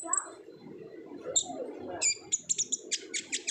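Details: Olive-backed sunbird singing eagerly in the 'ngobra' style as a lure for untrained birds: faint scattered peeps over a low hum, then a crisp run of evenly spaced high chips.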